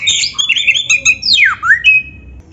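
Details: Oriental magpie-robin in full song with a champion-style 'isian' fill, played to get other magpie-robins to answer: rich, varied whistles, then a loud sweep dropping steeply and rising again into a sustained high note.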